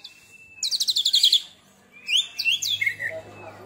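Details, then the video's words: Caged Oriental magpie-robin (kacer), recently through its first moult, delivering a fierce song: a level whistle, a rapid run of high trilled notes, then sweeping upslurred whistles and chirps. "Tembakan Kacer Super Pedas"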